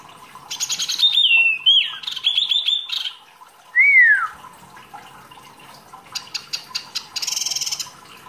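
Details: A small wambi kept as a songbird, singing busily as masteran material: a long rattling, buzzy phrase with whistled notes woven through it, one loud rising-falling whistle, then scattered clicks and a short dry trill.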